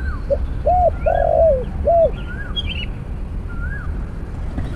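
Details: A snare-cage trapping session with a decoy, where a spotted dove gives one cooing phrase: a soft lead-in note, an arched coo, a long throaty middle coo and a final arched coo. Other small birds whistle faintly behind.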